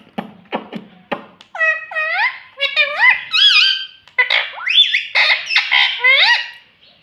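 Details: Rose-ringed parakeet imitating human words, mummy papa: a few short low syllables, then a long run of loud, ringing, rising and falling speech-like phrases, repeated almost without pause indoors.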